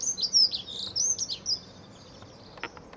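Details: Dunnock singing in a back garden: a quick, high, scratchy warble of tumbling notes lasting about a second and a half, followed by quiet with a few faint clicks.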